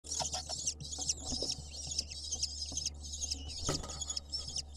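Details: Lesser kestrel nestlings at a nest camera in Israel begging as the male brings an insect: harsh, rapid, rasping chatter in repeated bursts over a steady low electrical hum.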